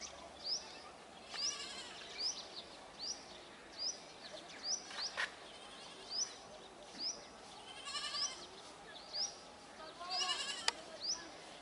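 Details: Brahminy starling flock: a high, sharp upward-flicked note repeats about once a second over a bed of chattering, nasal harmonic calls from other birds, with bursts of busier chatter around the middle and end.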